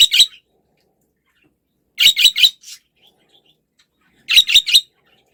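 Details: Pet budgerigar giving short, harsh chirps in quick bursts of three, each burst about two seconds apart, with silence between.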